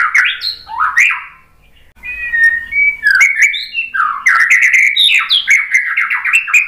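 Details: White-rumped shama song used as a lure to provoke other shamas into answering: rich, varied phrases of sweeping whistles and sharp rising notes around mid-high pitch, with a short pause before a dense run of fast, tumbling notes.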